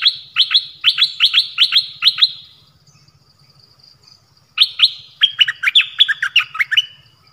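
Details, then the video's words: Nok dok taeng song in the 'pleng berl' style, played so young birds copy it and to lure wild birds. Two loud phrases of rapid, clipped whistles are split by a quiet pause, the second phrase busier and more warbled. "เสียงนกดอกแตงEp.5 Birds sounds เพลงเบิ้ล เปิดให้ลูกนก-ลูกเสอร้องตาม"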